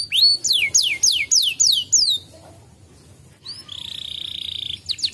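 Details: Canary singing, played to stimulate a lazy canary into song. Rapid, repeated down-slurred whistles are followed by a short pause, then a long, steady, buzzy high trill and a few more sweeping notes.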